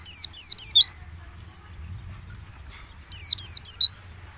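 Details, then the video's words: Caged white-eye training lure for the morning dew session: a quick trio of loud, high, descending chirps, about two seconds of near quiet with low hum, then four more chirps in a rapid run. "suara PANCINGAN PLECI saat pengembunan agar ngalas"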